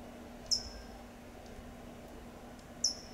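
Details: Two crisp, high-pitched "tsip" notes about two seconds apart from a California towhee in Del Monte Forest, California; each note is brief and slightly falling, with a faint steady hum behind.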